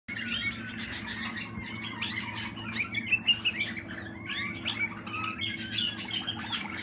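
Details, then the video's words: Young Malinois Waterslager canary from 2020 singing in captivity: a dense, continuous warbling of rolling trills and short whistled notes, with occasional louder bursts near the middle, over a steady low electrical hum. "Malinois Waterslager Malinua"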